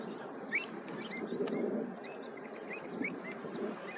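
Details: Pied avocet (Recurvirostra avosetta) chicks giving thin, high peeps, short rising or hooked notes scattered every half second or so, over a steady rushing background of wind or water.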